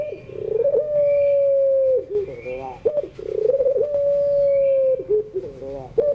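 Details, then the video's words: Puter pelung (Barbary dove) singing its drawn-out coo in the afternoon, meant as a model for young birds learning to sing: a throaty rolling onset, a long flat held note, a fall, and short gurgling notes before the next coo repeats. "tangisan suara puter pelung sore hari"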